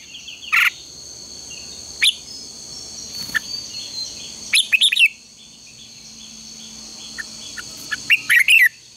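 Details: Contest-training morning song of a red-whiskered bulbul: isolated loud whistles, a burst of chirps midway, a long quiet gap, then a rapid run of notes at the close, with a steady background hum.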